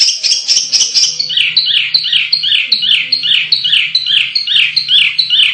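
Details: Canary song played to train contest birds: a rapid chattering trill gives way to evenly repeated two-part whistled syllables, steady and bright throughout.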